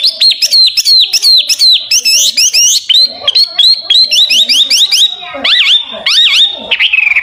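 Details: Loud, varied Hwamei (wambi) song meant for tutoring other songbirds: fast clusters of sharp rising and falling whistles, then slower looping, slurred phrases, and a final long descending note.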